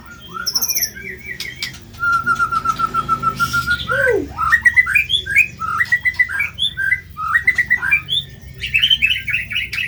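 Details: White-rumped shama, harsh-material song for bird training: quick whistled notes, a long steady held whistle, a falling slur, then a lively run of repeated bouncing warbles and chattering, with a low hum in the background.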